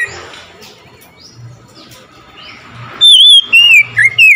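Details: Oriental magpie-robin reacting to another magpie-robin: a faint, busy background of soft chirps, then a sudden loud run of four clear whistled notes, the later ones dipping and swooping.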